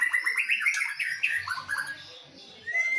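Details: White-rumped shamas from Medan and Nias forest dueling: a quick run of bright chirped whistles, downward slurred notes, softer low chatter, then a clean rising whistle at the close.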